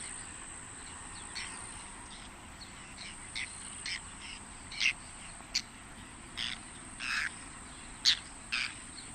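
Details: Whiskered tern, a marsh tern breeding rarely in the Netherlands, gives short, harsh, rasping single-note calls at uneven intervals, about ten in nine seconds, over a steady high insect hum.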